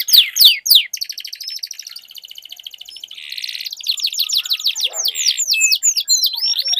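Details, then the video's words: Canaries in a singing duel, caged birds used as a lure to get other canaries singing: dense high trills and rapid repeated chirps with sweeping notes, overlapping voices, steady loud phrases throughout. "Duel Burung Kenari Suara Merdu Ngerol Panjang || Pancingan Ampuh Kenari Macet Langsung Gacor Ngerol"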